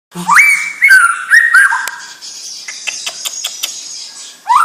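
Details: Young white-rumped shama of a champion bloodline, singing loud clear whistled notes that slide up and level off, followed by a quieter run of short clicking, scratchy notes and a final rising whistle.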